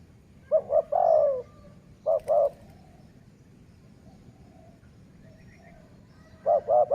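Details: Dove cooing in decoy luring. One full phrase of two short notes and a long coo, then a clipped two-note fragment. After a pause another phrase begins, with a faint click partway through.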